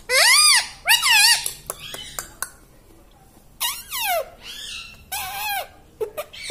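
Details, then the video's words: Talking pet rose-ringed parakeet saying words such as "mummy": a run of loud, arched, speech-like harmonic syllables in several bursts, separated by short clicks and pauses. "Talking Parrot Mitthu Mitthu Tota || Mummy Mummy Bolne Wala Mitthu || pattu Parrot Talking"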